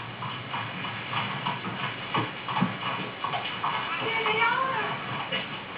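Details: A 16-year-old female grey parrot, molting and in spring mode, mimics speech-like chatter, with squeaky, toy-like whistles breaking through near the end.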